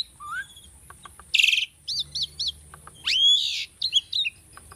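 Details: Tame captive Asian starling singing for bird training: a low whistled note, a harsh chattering burst, three short repeated chirps, then a loud rising whistle and a few clipped notes.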